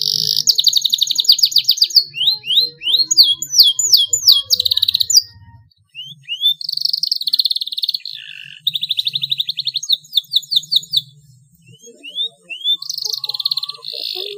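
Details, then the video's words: Young canary learning its song with long rolls: bursts of rapid trills and sweeping whistles separated by short pauses, repeated rolling phrases throughout. "KENARI PAUD BELAJAR BUNYI SUARA MULAI NGEROLL PANJANG"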